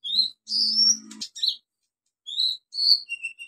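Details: Olive-backed sunbird singing to stimulate silent birds: high sweet slurred whistles and a buzzy phrase over a faint low hum, a pause, then thin rising and falling whistled notes.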